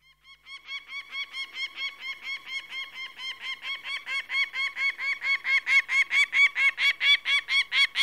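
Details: Peregrine falcon giving a long series of harsh, nasal cackling notes, about three per second, each note rough with a bent, chevron shape; the series starts quiet and grows steadily louder over roughly twenty-four notes.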